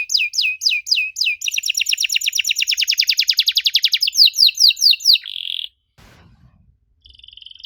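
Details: Canary song aimed at getting young canaries to reply: several high looping whistles, then a long, fast rattling trill, some slower falling notes and a buzzy tone. Faint quiet noises and a soft high note follow after the singing stops.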